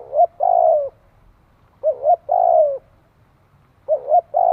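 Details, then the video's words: Spotted dove (cu gáy) cooing, used for training a newly kept bird: low, mellow phrases, each a quick double note followed by a longer downslurred coo, repeated about every two seconds in a quiet setting. "Tiếng chim cu gáy tập bổi"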